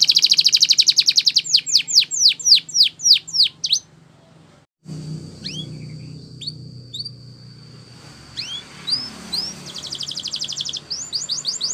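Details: Belgian canary training song. A loud buzzy trill and descending sweeps are followed by a near-silent pause, then a long thin steady whistle with scattered hooked notes, ending in a renewed trill. Low rumbling noise underneath.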